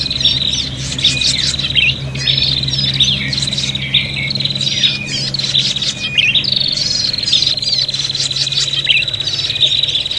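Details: Agitated fighting calls of a prinia, used for luring: a dense, shrill stream of buzzy trills and quick twittering notes, nearly continuous, over a steady low hum.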